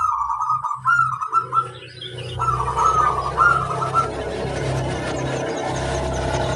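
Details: Zebra dove singing bird, its song played to train others to sing: several short rolling cooing phrases at mid pitch early on, then swamped by a loud steady hiss and low hum filling the rest.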